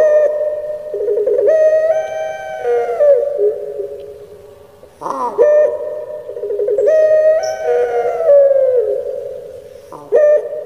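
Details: Indonesian kept Barbary dove (puter pelung) in the 'menangis' crying song: sustained, nasal, harmonic coos with downward-sliding endings, separated by sharp gurgling 'kuk geruk' bursts, about three phrases.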